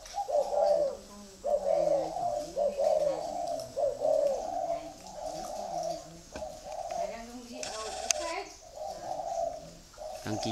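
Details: Spotted dove of the 'thổ' song style, grey-legged and red-eyed, at a dove farm in Ba Vì, Hanoi, Vietnam: a long run of low, throaty coo phrases in quick succession, briefly broken by a sharp click, then resuming.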